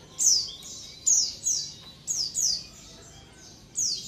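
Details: Colony sound of white-eyes (pleci) used as a lure: sparse, sharp, high-pitched chirps that drop steeply in pitch, singly or in pairs, with short silences between.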